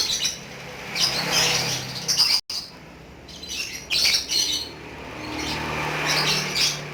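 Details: A lovebird in energetic ngekek song gives rapid, harsh, high chattering phrases in uneven bursts, with brief lulls between runs and a low steady hum in the background.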